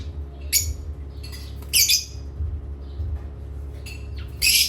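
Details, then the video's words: Harsh, scratchy squawks from pet parrots at playtime come in uneven bursts, some doubled, over a low room hum with softer chirps in between. "playtime with Parrots Chirping"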